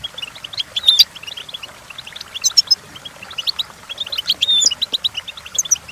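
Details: Goldfinch song intended for teaching goldfinches: irregular bursts of fast twittering chirps mixed with thin whistled slurs and brief buzzy notes, separated by short pauses.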